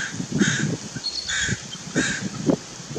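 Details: Crow pestering an adult dunlop on June 16, 2016: harsh, hoarse caws repeated three times in about three seconds, with low thumping and rustling noises underneath.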